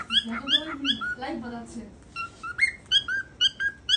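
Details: A pet cockatiel says its own name in a squeaky, speech-like voice, then gives a run of short, bright whistled chirps about twice a second, with a human voice faintly mixed in.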